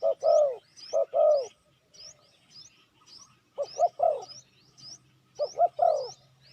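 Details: Spotted dove calling to lure wild doves. Low hollow coos come in short-then-long pairs and triplets, separated by pauses. Thin rising chirps from another small bird continue through the calls.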